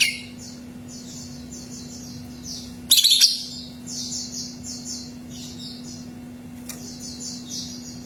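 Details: Song of a greater green leafbird, used to prompt a kept bird to sing. A short, loud, scratchy burst near three seconds, with faint rhythmic chirping from other birds throughout and a constant low electrical hum.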